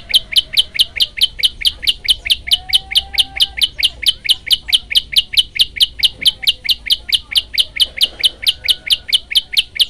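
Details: Prinia song used as a training recording, one long unbroken 40-second burst: rapid, very regular high sharp chirps repeated about twice a second throughout, with faint low background noise.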